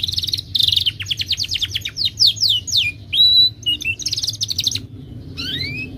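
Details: Timbrado canary singing a melodic training song: rapid trills of descending whistled notes, a buzzy rattle, a pure sustained whistle and rising slurred notes, with a low steady hum underneath.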